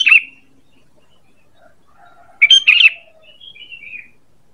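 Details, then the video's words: Sooty-headed bulbul calling as a bird lure: a short chirp, quiet gap with faint soft tones, then a loud double burst of chirpy notes trailing into fainter twitters. "Suara PANGGILAN dan pikat ampuh burung KUTILANG"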